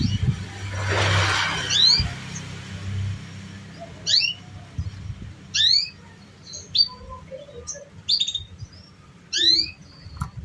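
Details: Canary sounds used as a lure to train young canaries still learning to sing: after a soft rushing burst, bright sweeping chirps recur about every second or two, some with downward slurs, over a low steady hum.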